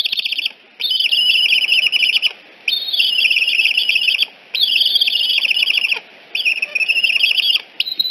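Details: Loud shrill chattering from an eagle at Decorah nest N1, 6:45 am, 14 September 2018, while a visiting fledged juvenile is escorted off; high, rapid, trilling whistled bursts of about a second, repeated almost without pause.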